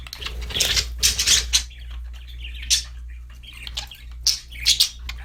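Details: Budgerigars chirping loudly in sharp, high squeaky bursts and scratchy warbles separated by short silences, with a low hum in the background.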